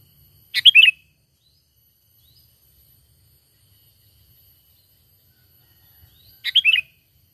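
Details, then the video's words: Lure call of the sooty-headed bulbul for bird trapping, recorded as a natural call: two compact, liquid warbled bursts roughly six seconds apart, each a clipped start tumbling into wavering notes, with long silence between. "Pikat Burung Kutilang"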